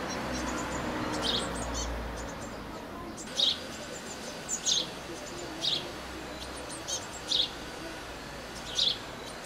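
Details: Blue tit near its nest box in May 2020 uttering sharp, thin, high single notes roughly every second, about seven in all, over a low hum.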